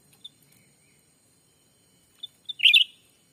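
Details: Black-capped bulbul voice played as a lure for wild birds in a Sumatran forest: faint scattered high pips, then a quick pair of notes leading into a bright, tumbling warbled burst near the end.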